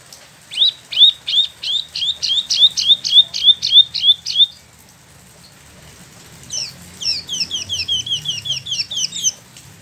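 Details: Spot-throated babbler, a caged bird imported from China or Vietnam and kept a year in Bandung, Indonesia, just finished moulting. It delivers two fast rolling bouts of sharp, evenly repeated high notes, about three per second, separated by a pause.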